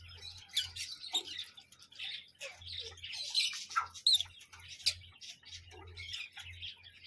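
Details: Parrot giving a busy run of harsh, scratchy chirps and short squawky notes, irregular and overlapping, mostly high-pitched, with a faint low hum in the background.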